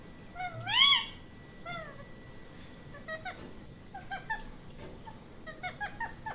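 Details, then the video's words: Indian ringneck parrot makes one loud, rising, mewing call, then a quieter one, followed by a string of short, soft chirps and clicks. "Parrot sound is are sweet sound of ringneck parrot so cute"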